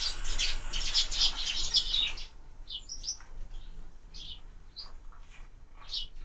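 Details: Sparrows feeding at window feeders open with a dense two-second burst of overlapping chirps, then give sparse single short chirps spaced out over low background noise.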